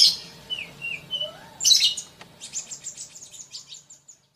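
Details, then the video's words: Sunbird singing quickly: a few sliding whistled notes, then a loud high chirp burst, then a long fading run of rapid thin twittering notes. "Masteran Kolibri cepat bunyi!!"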